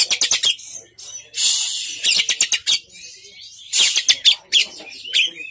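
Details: Magpie robin song made of bursts of rapid sharp clicking notes and bright high whistles, broken by brief pauses.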